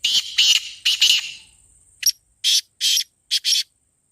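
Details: Black francolin call played to attract the bird or rouse a kept one into calling. Two harsh, scratchy phrases of four to five buzzy notes each, the first echoing and blurred, the second sharp and clipped, separated by a brief lull.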